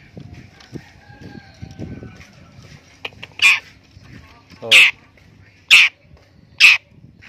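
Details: Long-tailed shrike, a kept bird being trained to become tame, gives four loud, harsh, broadband rasping notes spaced about a second apart after a quieter stretch with faint chatter and low background rumble.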